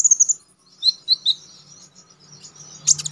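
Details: Konin (Olive-backed Sunbird), a songbird kept for song contests and recorded as training material, singing high, thin whistled phrases of quick descending slurs. A pause follows, then a burst of sharp chips at the end.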